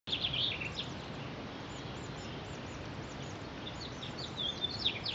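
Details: A male Hooded Oriole feeding chicks on 18 April 2019: high, thin chirps and short squeaky notes, with louder bursts at the start and end, over a steady outdoor hiss.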